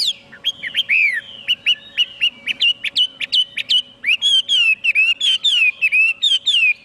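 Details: Chinese hwamei singing rhythmic whistled notes, each note slurred and repeated roughly every third of a second, with sharp clicks between, continuing steadily for seven seconds.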